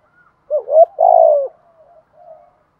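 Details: Rising double note leading into a long, falling coo, followed by soft faint murmurs, from a decoy spotted dove cooing in the morning to call the flock.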